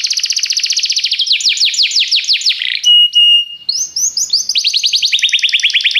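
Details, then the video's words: Canary singing: fast trills of rising, repeated notes high in pitch, a steady whistled tone near the middle, then more rapid rolling phrases. "Seu canário cantou imediatamente depois de ouvir este canário"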